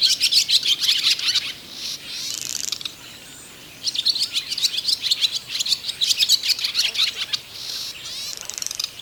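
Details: Barn swallow song used by the male to attract a female and show her a nest site; loud, lively twittering in bursts, with rattling dry clicks and buzzy trills, a brief lull near three seconds, then vigorous chatter again.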